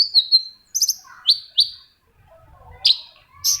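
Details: Long-tailed shrike song meant to spur quiet shrikes to sing: a long high thin whistle, then short sharp doubled chirps and separated upslurred notes, in an otherwise quiet recording.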